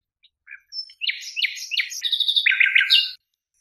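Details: Nightingale song from a song tape: a few soft opening notes, then a busy run of varied phrases with rapid repeated notes and sweeping, chattering elements.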